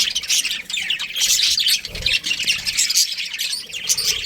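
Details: Budgerigars of a breeding pair chatter busily in shrill, overlapping chirps and squeaky whistles, with a soft low thud midway.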